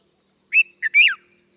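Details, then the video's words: Red-vented bulbul giving a single brief three-note phrase, bright and whistled, ending in a longer note that rises and then drops away. "Red Vented Bulbul Sounds | Bulbul Voice"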